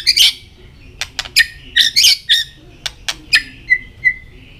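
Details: White-rumped shama in contest singing with tail flicking gives harsh buzzy bursts and sharp clicks, then softer drawn-out whistles near the end.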